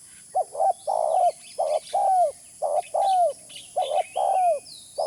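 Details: Spotted dove cooing for use as a bird lure. A rapid sequence of low coos, each phrase ending in a downward glide, repeats steadily. Faint chirps from small birds come in the background over a constant hiss.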